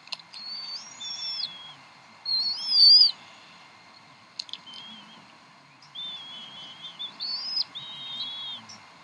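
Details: Evening feeding at the Decorah bald eagle nest, 26 April 2012, 7:50 pm CDT, the mother feeding three eaglets: bursts of high, squealing whistled calls with a loud sharp note near three seconds, then wavering chitters.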